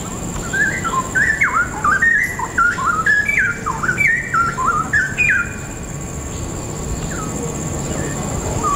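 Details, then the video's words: Straw-headed bulbul in November 2016 pouring out a loud, bubbling run of rich, liquid whistled phrases that rise and fall for about five seconds, then a few soft notes trail off. "Straw headed bulbul's song"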